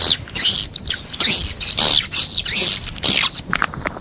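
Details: Calling swiftlets give dense, rasping high chirps that overlap and blur into near-continuous buzzing, with short broken gaps and light background noise throughout.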